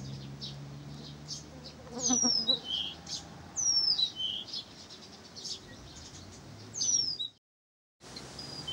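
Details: Pavlodar recording of Blyth's reed warbler song: three loud descending whistled slurs a couple of seconds apart, with buzzy notes and chips between, a low hum early on and a brief silent gap near the end.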